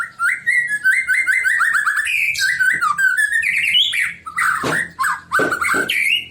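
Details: Shama song played to stir other white-rumped shamas into singing: fast run of slurred whistled notes, chattering trills and a few harsh broadband bursts near the end, delivered almost without pause.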